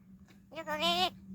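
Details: Tame talking crow from Gargaon, Palghar, answering its owner: a single harsh, nasal, drawn-out call lasting about half a second, rising slightly and then cut off, over a steady low electrical hum.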